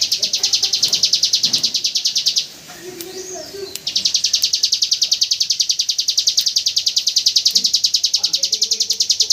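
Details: 'AK47 gunfire' song of a hill prinia, used to train white-rumped shamas: a rapid high staccato trill, a pause of over a second with faint low sounds, then the same machine-gun rattle resumes for several seconds.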